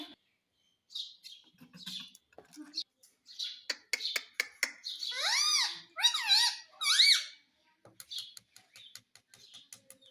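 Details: Pet Indian ringneck parrot talking, repeating "mummy": scattered clicks and short chirps, then a run of loud arched, harmonic-rich voiced syllables rising and falling in quick succession, followed by sharp ticking notes.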